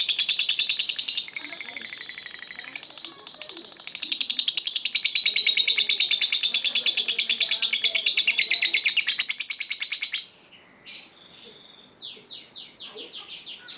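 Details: Lovebird delivering Ngokop-style song: a long, fast, unbroken chattering trill for about ten seconds, briefly dipping midway, then breaking into separate high, sharp chirps and squeaky notes.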